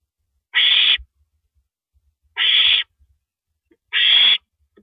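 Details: Owl at 1:27 AM on April 9, 2012, while an owl swallows a rabbit; three rough hissing screams roughly every 1.8 seconds, with quiet low taps in the pauses.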